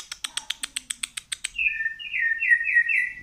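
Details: Long-tailed white-rumped shama, Medan variety, singing in 'ngedur' style while pushing its tail. About ten sharp, evenly spaced clicking notes come first, then a rich run of sweet, overlapping whistled notes.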